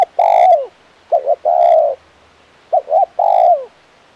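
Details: Crisp-voiced spotted dove used as a decoy, calling in the "kuk 1" style: three phrases, each a long mellow coo that sags at the end, linked by quick paired notes and repeated about every second and a half.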